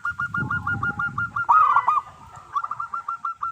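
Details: Local zebra dove in full song, meant to lure other doves: a fast string of evenly spaced coo notes, a louder tangled burst in the middle, then the run resumes over low rumble.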